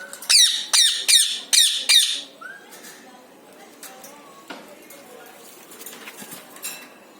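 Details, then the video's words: Pet parrot indoors giving five loud rasping squawks, each a short harsh burst about a third of a second apart, then fading into low room noise with soft scattered ticks. "parrot natural sound"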